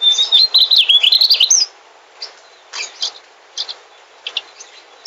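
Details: Mugimaki flycatcher, a migrant bird, singing: a fast, high twittering warble of rapid rising and falling notes for under two seconds, followed by scattered short sharp chirps.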